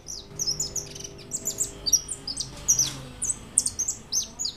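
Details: White European goldfinch, 2013, pouring out sharp, liquid twittering notes and short descending whistles in quick irregular clusters, with a soft electrical hum in the background.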